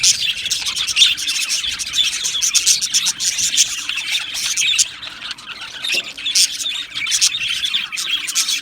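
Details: Many budgerigars in an aviary colony on 12 July 2025 keep up constant high chirping and chattering, sharp clicks and tweets overlapping, with a softer stretch near the middle.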